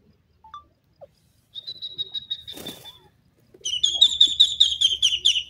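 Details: Partridge from a Dakhni titer and Irani teetar pair: a few soft high notes and a burst of flapping, then a fast run of shrill, evenly repeated notes, about four per second, over a low hum.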